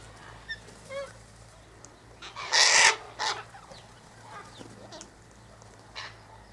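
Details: A sulphur-crested cockatoo eating sunflower seeds, wheat and birdseed mix by an eastern gate gives one loud, grating screech amid softer chirps and whistles from other birds.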